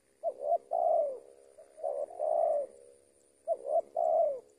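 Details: Spotted dove working as a lure bird, three mellow coo phrases, each a quick double note followed by a long slurred coo, about every one and a half seconds, over a faint high electrical whine.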